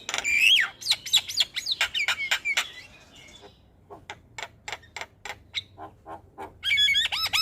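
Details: Javan myna singing actively in the morning, used as a tutor and lure recording: a fast jumble of harsh squawks, sharp clicks and short whistled notes that slide between high pitches, pausing midway, then resuming with quick ringing whistles.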